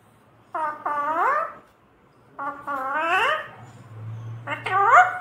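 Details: A pet parrot says "mummy papa" in three bursts of paired syllables, each a short note followed by a longer, upward-curving one. The bursts come roughly every two seconds over a faint room hum.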